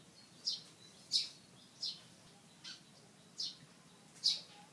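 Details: Pied fantail in a tree, spreading its tail like a peacock, gives six high, thin squeaky notes, each short and separate, spaced roughly every half to one second against a quiet, still backdrop.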